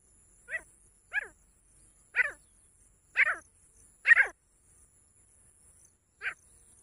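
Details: A single female grey francolin utters scattered, rasping notes at irregular intervals. A few are louder with a drawn-out downward tail, and a last isolated note follows after a pause. A faint high hiss sits in the background.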